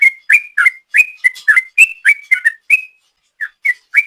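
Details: Sooty-headed bulbul ropel song used as a lure: brisk whistled notes tumbling about four per second, a short half-second gap, then three more whistles.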